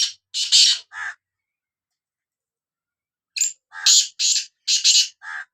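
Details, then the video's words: Black francolin of Sindh giving rough, scratchy notes: a brief burst of three, then a long pause, then a rapid grating phrase of about six notes. "Kala Teetar Voice | Black Frankoline Voice کالا تیتر کی آواز"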